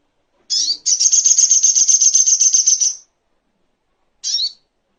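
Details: Little spiderhunter recorded as a tutoring track for training songbirds: a short downslurred high note, then a long rapid buzzy chatter of sharp, evenly spaced notes lasting about two seconds, and after a pause one more slurred note.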